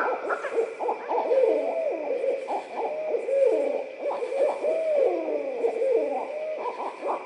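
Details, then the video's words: A pair of Barred Owls near Suwannee River State Park, Florida, trade wild 'laughing' calls, cackling hoots, rising and falling whoops and gurgling laughs that overlap almost without pause. "Barred owls laughing"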